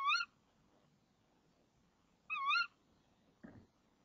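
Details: Female tawny owl at a nest box before dawn, 26 March 2014, calling for half a minute as the male arrives with a crumpled frog. Two wavering, nasal calls come about two seconds apart, followed by a soft dull bump.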